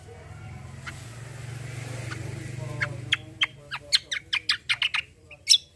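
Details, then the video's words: Greater green leafbird, a 'tembakan besetan' singer meant to draw song from untrained birds: a low humming background gives way to a quickening run of crisp, high clicking chirps, closing with one louder, sharp note. "KECIAL KOMBO CUCAK KOMBO GACOR FULL TEMBAKAN BESETAN || UNTUK PANCINGAN BUNYI BURUNG BAHAN"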